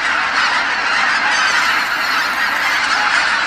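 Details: Wild geese, tens of thousands strong, fly back to Kabukuri-numa marsh at nightfall from their feeding grounds, the marsh wrapped in their voices. A thick wall of honking from countless birds continues without pause throughout.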